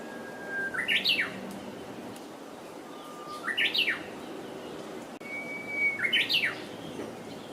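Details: Wild Japanese bush warbler repeating its hokekyo song three times, every phrase opening with a sustained pure whistle and ending in a rapid looping warbled twist, with faint background hiss.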